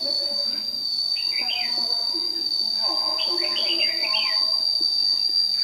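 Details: White-cheeked red-whiskered bulbul dueling at dawn as a trapping decoy, Đồng Nai, 26 June 2019, tail-flicking like an old wild bird; bursts of quick warbling, looping notes in clustered phrases, with a constant shrill tone behind.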